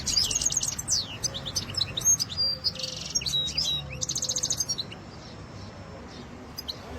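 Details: European goldfinch singing in Germany: fast, tinkling twitter of high notes mixed with short buzzy trills and slurred whistles, dense for about five seconds before fading to a few scattered chirps.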